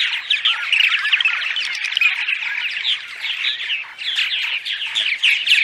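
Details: Purple martin dawn song, used before dawn to draw arriving migrant martins to nest sites: a dense, continuous mass of gurgling, chirping and croaking notes, several birds overlapping, no other sounds.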